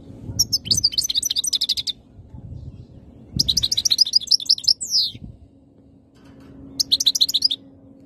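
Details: European goldfinch in Algeria, described as ready to mate, singing three bursts of rapid high twittering and tinkling notes, with low rumbling background noise between phrases.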